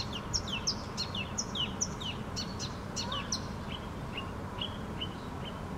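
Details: Unseen bird singing deep inside a bush in Helsinki, Finland: quick series of high, sharp descending chirps, then softer, spaced whistled notes, over heavy low background rumble.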